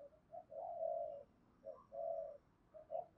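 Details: Spotted dove calling in the Vietnamese 'thổ' voice style blended with a touch of 'đồng': a soft low coo, then a long drawn-out coo and a couple of short coos, over a faint background hiss.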